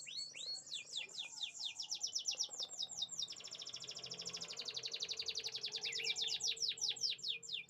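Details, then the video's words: Canaries singing in chirping sounds: repeated sweeping notes leading into a long, rapid, rolling trill, closing with more quick descending whistles. "the beautiful chirping sounds of canaries"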